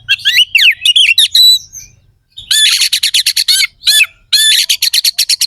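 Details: Oriental magpie-robin (kacer) singing harsh, coarse fill-in phrases, used to provoke rival birds before contests: a burst of rapid buzzy rising-falling notes, a pause, then fast runs of sharp chattering strokes repeated several times a second.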